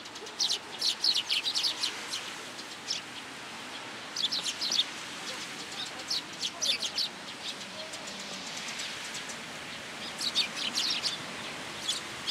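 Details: Several sparrows gathering on cherry branches at a shrine to be fed, rainy day, 26 March 2023; bursts of sharp high chirps come in groups with pauses between, over a constant rain background.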